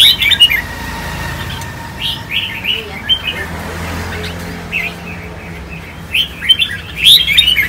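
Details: Four-year-old Khánh Hòa red-whiskered bulbul, a kept bird, after a cool bath and being coaxed into 'ché' singing. Scattered bright chirps come in short clusters at the start, middle and end, with quiet pauses between.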